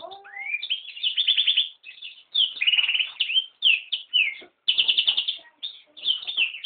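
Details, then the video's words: Hybrid of yellow-rumped serin and canary delivering a varied high song: opening rising whistle, then bursts of quick rattling trills and short slurred notes, separated by brief silences. "Yellow-rump Serin (Serinus atrogularis) X Canary"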